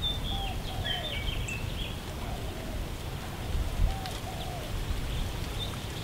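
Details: A saffron finch (Sicalis flaveola) at West Loch Community Shoreline Park, Pearl Harbor, Oahu, Hawaii, gives a quick burst of high, thin chirps and short sliding notes, then softer calls, over a steady low rumble like rain.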